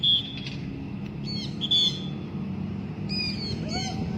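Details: Thin, high whistled notes and short squeaky calls from a blue-backed parrot flown free, ending with a lower arched call, over a quiet low rumble.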